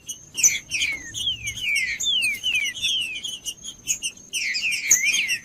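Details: Green-winged saltator singing to stir a silent, cold bird into song, giving a run of falling whistled slurs in quick succession, among sharp high chirps and a constant thin whine.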